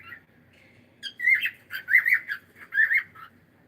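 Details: A pet cockatiel gives a faint note, then a string of fast, raspy, wavering squawks in quick succession before falling quiet.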